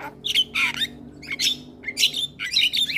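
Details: Male Javan myna song used to coax young mynas, given in four short harsh squawking bursts about half a second apart, each with a rough, buzzy tone.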